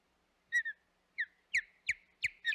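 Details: Osprey at the Hog Island nest on 25 May 2021: a series of short, clear whistled chirps, each sliding downward. An opening doubled note is followed by a string of chirps about a third of a second apart, in a quiet setting.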